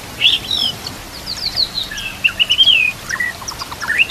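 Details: White-rumped shama (murai batu) song used as masteran training audio for other murai batu: a run of bright, varied whistled notes, some rising and falling, ending in a sliding whistled phrase over a faint natural background.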